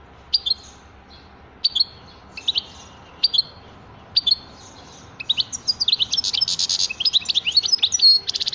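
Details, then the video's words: Goldfinch song starting with spaced, ringing two-part call notes about every second and a half, then breaking into an excited, continuous high twittering of quick chirps and liquid trills that ends in a buzzy flourish. "تغريد حسون رائع"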